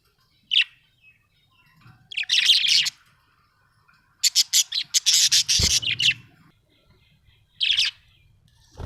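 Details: Happy pet budgerigar chirping: short bright chirps and raspy, chattering bursts in clusters of about a second, with pauses between and a faint low rumble beneath.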